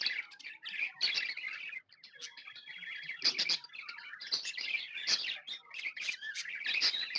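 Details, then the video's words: Budgerigars chirping happily: a thick mix of high tweets, grating squeaks and warbled runs from several birds, with a short dip before the chatter surges back. "Happy budgies chirping sounds"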